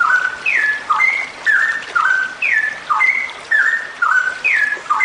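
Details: Straw-headed bulbul female in extended 'ropel' song, used as therapy so birds start singing; looping sequence of descending whistled slurs and upturned notes, steady at about two phrases per second.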